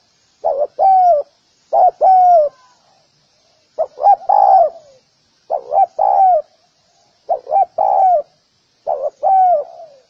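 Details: Spotted dove in a recording for training birds, repeating six short cooing phrases, each a brief note and a longer falling coo. They come roughly every one and a half to two seconds against a quiet background.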